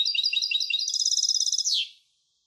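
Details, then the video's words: Song of a European goldfinch hybrid: quick high twitters speeding into an even, rattling trill that ends in a brief downward slur, then silence. "تغريد هجين الحسون Canto De Mixto del Jilguero"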